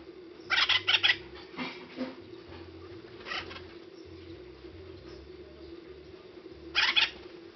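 Acorn Woodpecker giving harsh, nasal notes in quick bursts of three or four, a few single notes, then a final burst after a pause; steady low hum behind.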